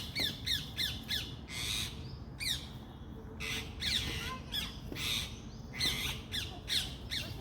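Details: Parrots calling: harsh, hoarse squawks with stacked overtones, given in quick bursts of two to four notes separated by short pauses, some sharp falling shrieks, over a steady low background rumble.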